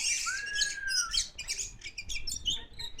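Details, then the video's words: Oriental magpie-robin of the kacer poci type, still in full voice: one long, slightly falling whistled slur, then a busy run of high scratchy chirps and twitters. "Kacer Poci Mantap di Lepas Masih Gacor"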